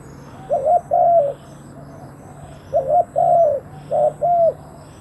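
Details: Decoy spotted dove luring wild doves, cooing in three phrases within five seconds. Each phrase is a short stuttered note leading into a longer, slightly falling coo, with quiet gaps between and a faint low hum behind.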